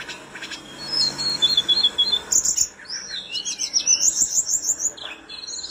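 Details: Tledekan gunung flowerpecker singing briskly for song training: a wavering high whistle, then rapid tinkling trills climbing to very high twitters, with faint hiss behind.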